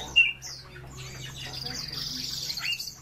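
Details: European bee-eaters calling together: one sharp, loud rolling note opens, followed by a dense, hissy wash of softer high trilled calls from several birds.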